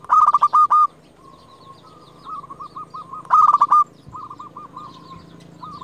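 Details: Zebra dove of a local strain, a highly vocal champion lure, calling out rivals. Two loud, bubbling rolled phrases of quick pulsed coos, with softer repeated coo phrases from another dove between them.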